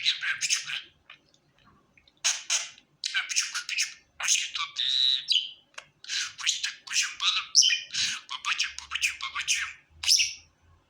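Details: Happy pet budgerigar chattering in bursts of harsh, buzzy chirps and scratchy warbles, with short pauses between phrases and a brief drawn-out whistled note near the middle.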